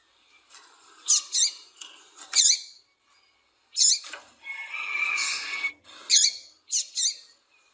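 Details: Calls of a female double-collared seedeater, used to excite males to sing: quick high chips in pairs and triplets with a soft hissing rasp, a short burst of mixed chatter midway, then more paired chips.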